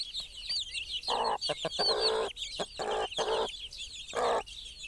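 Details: A mother hen clucks among her chicks, giving gruff, clipped clucks in quick groups while the chicks keep up continuous shrill cheeping.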